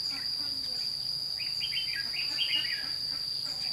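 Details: Lure red-whiskered bulbul in a trapping session at Thanh Liem, 29 May 2016, calling to wild birds. A single chattering, warbled phrase of about a second rides over a constant high cricket-like hum.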